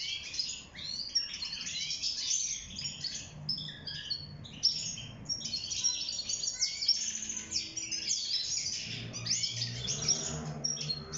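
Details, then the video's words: Caged wild goldfinch singing during breeding and nest building: bursts of quick, twittering high notes and short buzzy phrases with brief gaps, plus some low background hum. "روعة تغريد طائر الحسون البري (المقنين) داخل السلاكة"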